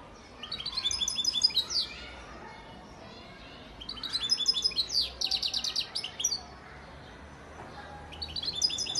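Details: Song of a European goldfinch father bird from Antalya, Turkey, 2018: bursts of rapid, tinkling high twitters and buzzy trills lasting about two seconds, separated by short pauses, with quiet background hiss.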